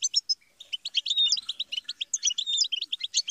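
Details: European goldfinch song for teaching songbirds: after a few opening chirps, a rapid run of bright, tinkling, slightly buzzy notes with quick slurred whistles.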